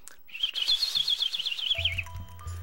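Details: In Missouri, where it is a migrant that breeds and winters in the tropics, a Chipping Sparrow, named for its sound, gives a dry, rapid trill of high chips lasting under two seconds; low musical tones begin as it ends.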